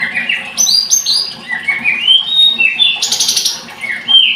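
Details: Blood-breasted flowerpecker singing high, thin, sliding whistled notes that rise and drop, broken by a sharp buzzy burst near the end, with a soft low background hum.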